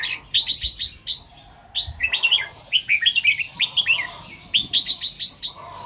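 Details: Red-whiskered bulbul singing in the morning in the doubled 2-3 and 'rik' styles: fast series of clear, bubbling whistles grouped into repeated phrases, with brief pauses between bursts.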